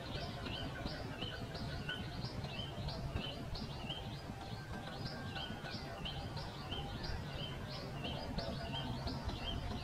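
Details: High, slurred chirps of a pipit pour out without pause, each note a brief bent whistle, heard over a constant low rumble.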